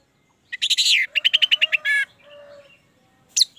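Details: Orange-headed thrush song, a lure recording meant to set a captive bird singing: a bright burst of rising notes, then a rapid string of short even chirps and a buzzy trill, ending with one sharp high note.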